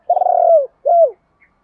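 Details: Spotted dove, male or female, cooing to spur trained birds: one long rolled, wavering coo that slides down at the end, followed by a shorter falling coo.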